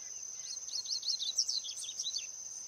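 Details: Wild double-collared seedeater delivering a fast, jumbled phrase of high chirps and slurred notes over nearly two seconds, set against a continuous high-pitched insect drone.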